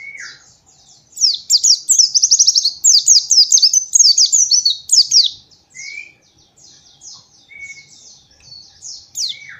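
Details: White-eye master song for training young birds: a dense, lively stretch of high, rapid chirps and fast trills, then softer scattered high notes with short lower whistles, in a quiet background.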